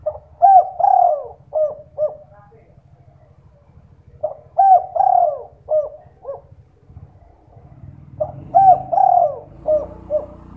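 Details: Spotted dove lure call at night for prompting other doves to sing. Three full phrases of short and long throaty coos, each ending in clipped notes, repeat about every four seconds over a low hum.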